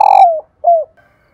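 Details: Female spotted dove call played to get males cooing: the end of a long rough coo gliding downward, followed by one clean short coo.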